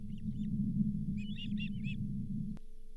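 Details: At the Charlo osprey nest on 31 July 2023, during delivery of a lake whitefish, the fifth fish that day, faint chirps lead into four louder high whistled notes, above a droning low hum that cuts off near the end.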